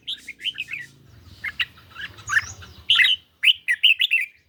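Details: Caged red-whiskered bulbul in a song duel with a phone on a lightly sunny day: scattered warbled notes over a steady low droning hum, ending in louder, crisp whistled phrases.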